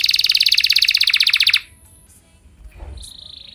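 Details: Canary song used to get other canaries singing; a loud, very fast rattling trill lasting about one and a half seconds, followed by near silence and a faint thin note.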